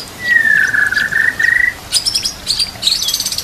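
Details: White-rumped shama opening with a long steady whistle broken into pieces, then switching to high, rapid buzzy rattling phrases.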